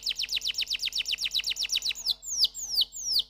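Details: Canary giving a rapid run of about fifteen sharp downslurred notes, followed by slower, longer descending whistles spaced roughly every third of a second.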